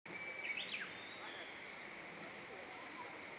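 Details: Japanese bush warbler singing among weeping plum trees in Kaminaka-cho, Toyota, Japan: a short high steady whistle followed by a quick rising and falling flourish, over a constant high hiss of outdoor background.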